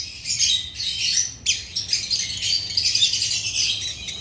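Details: Agapornis lovebirds chattering with shrill, squawky chirps in quick bursts, one abrupt loud call breaking in midway, then steady high twittering.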